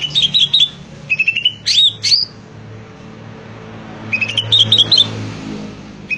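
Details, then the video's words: Gacor song of a greater green leafbird: rapid runs of bright whistles and chips, several short phrases with sweeping upslurred notes, a pause of about two seconds, then another twittering burst, low hum beneath. "Suara burung cucak ijo gacor"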